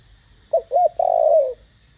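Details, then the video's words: One phrase of a spotted dove in the loud 'thổ đồng' voice, used to stimulate other doves to call: a short hoot, a rounded rising-falling note, then a long drawn coo that fades lower. "Tiếng cu gáy THỔ ĐỒNG âm To Rõ kích bổi nhanh nổi.Cu gáy GÁY GỌI kích bổi gáy ngay."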